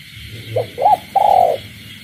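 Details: Caged spotted dove at night with calling frogs in the countryside: a short note, a bright coo and a long pulsed coo, cut short, over a steady high night chorus and low rumbling.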